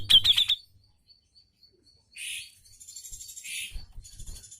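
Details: Cucak jenggot (grey-cheeked bulbul) singing actively in a masteran tutoring recording, 'ngepik' style: a quick burst of sharp high chirps, then faint thin notes and later buzzy hissing phrases with low rumbling in the background.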